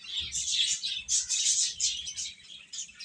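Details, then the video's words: A brood of chicks chirping loudly and almost without pause, high shrill peeps crowding together. "Cute Chicks Chirping Sounds"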